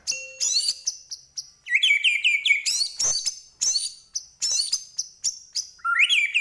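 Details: Singing white-rumped shama of the Medan type: a steady low whistle, then rapid buzzy trills and sharp high chirps repeated in quick bursts, closing with a rising whistled slur.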